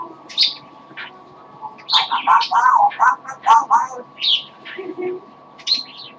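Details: Tired pet parrot singing a little: a burst of rapid chattering and gurgled notes, mixed with high chirps and squeaks, loud and fast for several seconds, then scattered calls, with an electrical hum behind.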